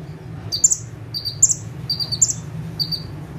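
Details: Bar-winged prinia in lively song while perched, giving evenly spaced buzzy high notes with short chips about twice per second, softer toward the end, over a noticeable low hum.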